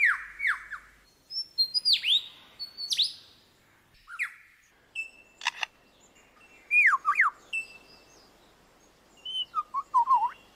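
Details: Lyrebird mimicry song of varied whistles: falling slurs, high downward sweeps, sharp clicks and short trills, spaced irregularly with silent gaps, ending in a quick wavering low whistle phrase.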